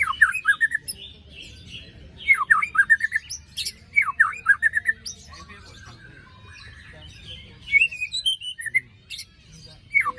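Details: White-rumped shama song meant to prompt a silent bird after moult: bursts of sweet whistled notes dipping and rising, in clusters about every two seconds, with thin high chips between phrases and soft low background hum.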